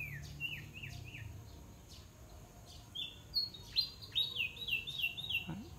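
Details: Huýt cô bird singing in a song contest, thin whistled notes sliding downward around mid-high pitch, short phrases repeated quickly, later brighter descending whistles; low steady hum underneath.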